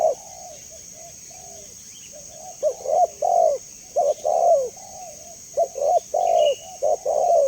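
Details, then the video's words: Spotted dove delivering a series of cooing phrases that start softly and grow louder: paired short coos, then a fuller falling coo, repeated about three times. A constant high hiss underlies the calling. "Suara Jernih Burung Tekukur"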